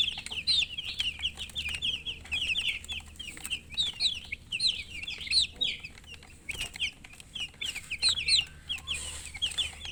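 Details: Many baby chickens peeping together: a dense, continuous chorus of high, thin, downslurred cheeps overlapping without pause, with occasional soft rustling and faint low hum.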